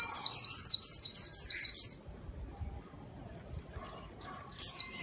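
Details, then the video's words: Lively white-eye song intended to attract wild birds: a fast series of eight high, downslurred whistles in under two seconds, then a pause and one more sharp falling note. "masteran Burung PLECI gacor, sangat bagus buat mikat"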